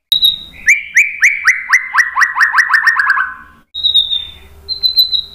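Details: White-rumped shama song played to draw other birds into singing: a high whistle, a quick series of repeated downslurred notes, a pause, then thin high whistles.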